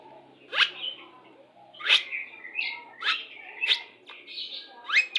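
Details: White-rumped shama of the Pastol type in lure song for pairing, meant to bring birds into breeding condition: loud upward-sweeping notes roughly every second, each trailed by softer warbled whistles.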